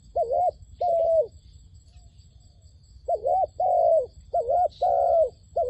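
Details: Dove calling as a lure for trapping wild doves. Two coos open, then comes a quiet pause, then a run of rounded, level coos in pairs. Brief faint higher sounds appear in the background.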